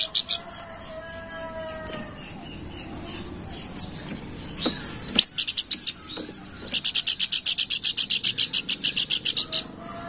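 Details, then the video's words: Planduk bukit used as a lure call; after softer mixed chirps and a steady tonal whistle from another source, a long run of fast, high, evenly spaced dry chips begins midway and continues to the end. "Burung Planduk Bukit Gacor Crewet"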